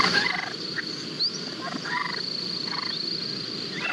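A sandhill crane gives loud, rolling, rattling calls in short bursts about every second, over a steady high insect-like whine and faint background hiss.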